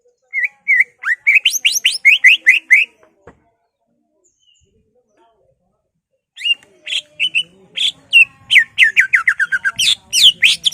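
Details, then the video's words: Greater green leafbird mimicry song aimed at stirring rival leafbirds: a burst of rapid upslurred chirps, a long silent gap, then a dense, fast stream of mixed chirps and trills. "BURUNG CUCAK IJO Bongkar Isian, ngentrok/ Pancingan Cucak Ijo merangsang emosi cucak ijo lain"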